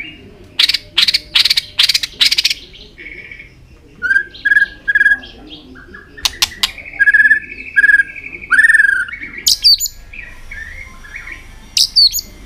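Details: White-rumped shama in tail-flicking song meant to stimulate new birds into competitive singing: harsh rattling bursts, then clear whistled notes, a long sustained whistle and sharp upslurred calls.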